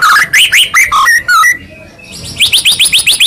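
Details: White-rumped shama song for provoking a silent bird: varied sliding whistles and chattering notes, a short lull, then a quick series of high rising whistles.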